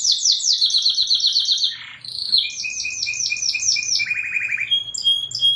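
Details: Canary song used as a master for young canaries: rapid repeated downslurred notes, a buzzy burst, then a rolling series of notes with a lower fast trill and clear high whistles.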